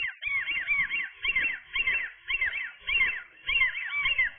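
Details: On fledging day, 7 July 2022, gull chicks utter bursts of two or three arched, whistled squeals, each burst repeated roughly every half second to second, clear over a quiet background with faint low rustling.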